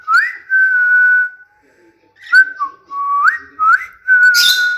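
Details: Indoor cockatiel whistling: pure whistled phrases that swoop upward and then hold a long level note, broken by a pause before more rising and steady whistles and a short burst of harsh noise at the end.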